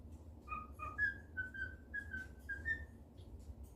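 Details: Happy pet cockatiel whistling indoors in a good mood, a short series of about eight clear whistled notes that step upward and hold steady, with a faint low hum behind.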